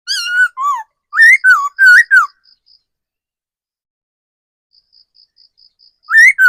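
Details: Decoy laughingthrush in forest giving a quick series of six wavering whistles, then a long gap with soft high regular pips, and a final loud whistled note.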